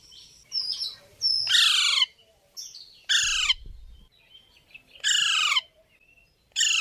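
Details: Pet parrot uttering loud, raspy downward-sliding squawks about every one and a half to two seconds, with softer chirpy notes between them and near silence in the gaps.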